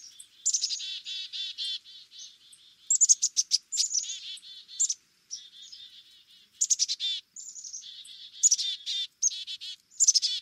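Black-capped chickadee giving a scolding chick-a-dee call: brief high introductory notes followed by runs of harsh, buzzy dee notes, repeated in quick bursts.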